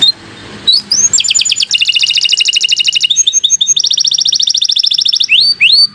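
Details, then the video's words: Canary giving a long 'gacor' tutor song: soft start, then an extended rapid rattling trill, a shift to another dense high trill, ending with upward-sweeping whistles. "Kicau Burung Kenari 101 II GACOR PANJANG Cocok untuk Masteran"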